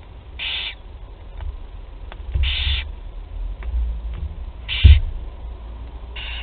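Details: Young barn owls begging at their first feeding in Théding, France, on 8 July 2020. Four rasping hisses arrive roughly every two seconds, separated by faint ticks and a low background rumble.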